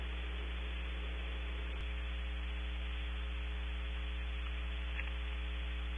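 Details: Steady electrical mains hum with a low drone and hiss of static, no calls or other animal voices.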